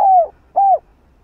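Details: Spotted dove coos used to prompt other doves to start calling: two smooth, slightly falling low notes half a second apart, clear against a quiet background.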